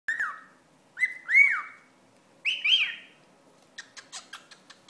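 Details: Pet cockatiel annoyed by a wad of paper towel gives harsh, arched, harmonic squawks, first single then in quick doubled pairs, followed by a run of short sharp clicks and taps.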